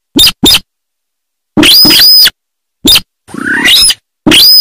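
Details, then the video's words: Sintar of rice fields giving quick doubled chips, a long ringing harsh squawk, a single chip, then a hoarse buzzy note rising in pitch, and another squawk. "Suara Asli Burung Sintar Sawah"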